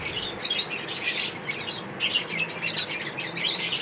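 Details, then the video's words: Lovebirds during their daily routine, chirping constantly: a dense overlapping chatter of high, sharp chirps and squeaks from several birds, with a steady background hiss. "Lovebirds Daily Routine l lovebirds Chirping sound l lovebird sound"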